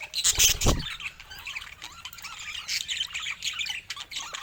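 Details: Pet budgies chattering in rapid high chirps and buzzy squawks, with a loud low thump at the start under the steady warbling.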